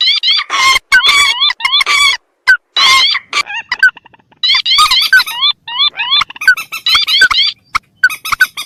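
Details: Rail lure call, mandar or pelan against tikusan: loud groups of squealing, upward-sweeping notes with harsh bursts between them, separated by brief pauses.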